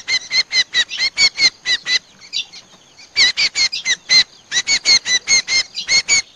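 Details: Lure sound of Common Iora used to draw birds into traps: rapid, harsh chattering notes in three bursts separated by brief quiet spells, the notes clipped, nasal and evenly repeated.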